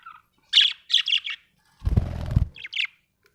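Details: Happy budgerigar giving a string of bright warbled chirps, broken by a half-second burst of low fluttering noise like wings, then two more short chirps.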